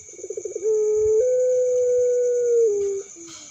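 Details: Juvenile puter pelung dove calling: a quick stuttering run of pulsed coos that launches into one long sustained hum-like note, stepping up midway, holding, then dropping before ending, with a thin steady high tone behind.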